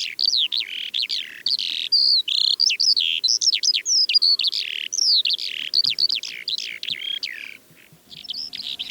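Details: Calandra Lark singing on the Manych steppe, Russia, 21 April 2024. Rapid, rich warbling with clipped chirps, rolling trills and sliding whistles in a continuous torrent, briefly pausing near the end.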